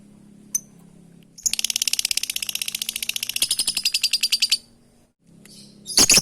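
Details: Lovebird calling to companions, giving a long rapid chattering trill of about thirty harsh high pulses over three seconds, preceded by a single chirp and ending with a loud screech, over a faint low hum.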